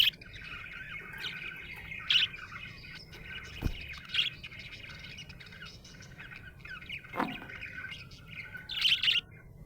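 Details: Happy budgie chattering softly with scattered brighter chirps near two, four and nine seconds, plus a couple of brief low clicks or knocks in between.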